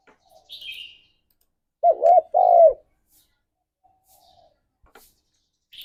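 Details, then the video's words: Morning spotted dove coos used as a lure to raise mating drive: a doubled arched note then a longer falling coo, with a thin high chirp before and faint soft whistles after. "Tekukur Gacor Suara - Pancingan Pagi Paling Ampuh Naik Birahi"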